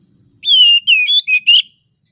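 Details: Oriental magpie-robin (kacer) in breeding condition, singing to prompt other birds to sing: one bright phrase of four loud whistled notes, the first long and falling, the rest short, wavering and twisting, on a quiet background.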